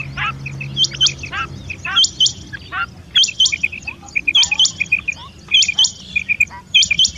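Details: Common quail call used as a hunting lure: sharp hooked phrases repeated about every 1.2 seconds, mixed with shorter lower chirps from other birds and a low rumble.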